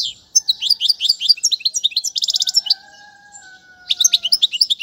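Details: European goldfinch song for teaching young birds: bright chirps and a fast rattling trill, then a pause holding only a faint steady whistle-like tone, before the twittering starts again.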